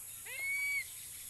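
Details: Philippine eagle giving a single whistled call that sweeps upward, then holds a thin, steady high note for about half a second, over a quiet background hiss.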